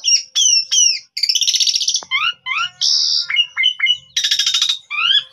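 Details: Asian pied starling lure song, pundung type, captured on a mobile phone to bring birds into song: three sharp falling whistles, a long harsh rattle, clipped chips and another loud rasping burst.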